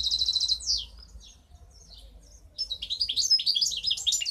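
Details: Goldfinch hybrid from 2015 opens with a quick trilled burst and descending slurs, pauses with a few scattered chirps, then breaks into rapid, high, tinkling twitters and rolling warbles.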